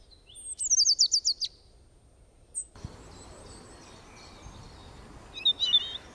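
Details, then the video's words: A bird making one of its many kinds of sounds: a fast series of about seven loud, very high, sharp notes in rapid rhythm. Faint scattered chirps follow over a soft hiss of background noise. "একটি পাখি কতো রকমের আওয়াজ করে,Birds sounds"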